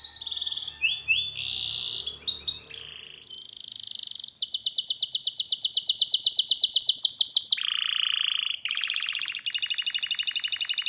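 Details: Canary training song with varied tours: brief whistled notes, a buzzy high phrase, a long fast metallic trill, then a low rolling trill and another rapid buzzy run.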